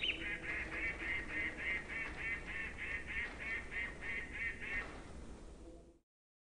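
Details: A chickadee gives its alarm call, used to alert others to danger: a long run of harsh, nasal dee notes, about three every second, steady and insistent, over a soft background hiss.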